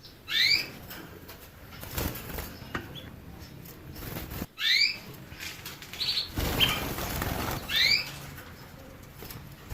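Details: Canary chirping in a few rising, upslurred notes spaced a couple of seconds apart, against loud rustling and fluttering noise from movement nearby.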